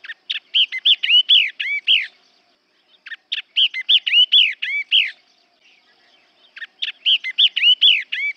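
A yellow-eyed babbler gives bright, clear whistled phrases of quick rising and falling notes, each burst about two seconds long and repeated every three seconds.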